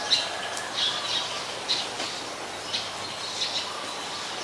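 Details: Black-collared starling recorded in rain at Ubon Ratchathani, Thailand, on 15 October 2021, giving harsh, scratchy squawks and brief high squeaks in quick irregular bursts against a background wash of rain noise.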